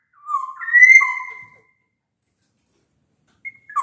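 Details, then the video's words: Black-naped oriole in full song, its loud fluting voice used to lure quiet orioles into singing: one short phrase of mellow whistles, a low note rising to a held higher note and dropping back, then silence and a faint clipped start. "Suara kepodang gacor ini bisa di jadikan pancingan kepodang malas bunyi"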